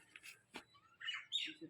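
A parrot gives a quick series of harsh, squawky chirps, a few rising and falling sharply, with one abrupt click-like note between them.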